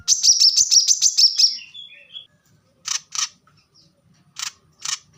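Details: Plain-throated sunbird, known as kolibri kelapa, with a short burst of rapid high song for training cage birds, fading into thin descending notes, followed by sharp clicking sounds.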